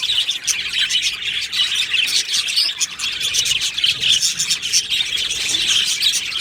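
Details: Australian budgie colony in an aviary, many birds chirping and chattering at once in a continuous, dense high-pitched warble.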